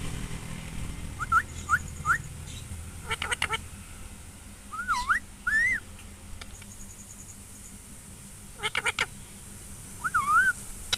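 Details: Parrot uttering short whistled notes, three quick rising whistles, then a few dipping wavering whistles, mixed with sharp clicks and taps in a quiet room.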